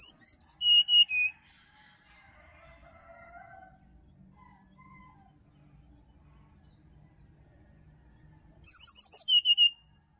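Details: Sirdadu (Black-winged flycatcher-shrike) singing wild in Bali forest, morning stimulation recording: a burst of sharp descending whistles opens, a long quiet stretch with faint lower twitters follows, then another run of high falling notes closes.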